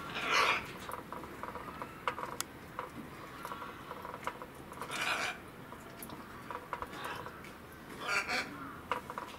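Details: A Blue-fronted amazon (Amazona aestiva) at Saitama Children's Zoo, Japan, on 3 February 2018 gives three harsh, raspy squawks a few seconds apart, with faint clicks and clatter between them.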